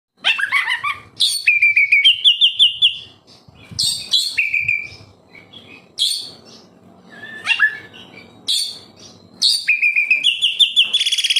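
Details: Oriental magpie-robin (kacer) in lively gacor song, used as a lure to make captive birds sing: loud whistled notes and sharp rising slurs in bursts, with quieter gaps between phrases and faint low background rumble.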